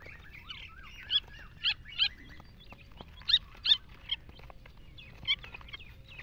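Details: Iranian partridges with chicks: clusters of sharp, high chirps and short twittering notes, some in quick pairs, over a faint low hum, with quiet gaps between bursts.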